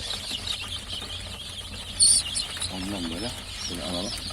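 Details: Freshly hatched chicks give a constant chorus of shrill, high peeps, with one louder sharp cheep standing out. A person briefly talks near the end, and a low hum runs throughout.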